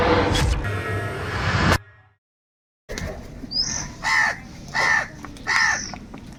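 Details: Crow calling for food, very loud: after a burst of noise and a silent gap, four harsh, nasal caws repeated about every 0.7 seconds, each with a brief higher note at the start.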